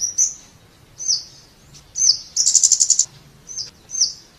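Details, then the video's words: Scarlet-backed flowerpecker: sharp, high descending tsit notes about once a second with one quick stuttering trill in the middle. "เสียงนกชมพูสวน Scarlet-Backed Flowerpecker Sound"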